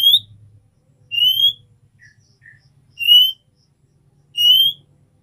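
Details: Female oriental magpie-robin calls the male with a 'nyiul' note. Slurred, rising whistles repeat roughly every one and a half seconds, with a faint low droning hum and a couple of tiny notes between them.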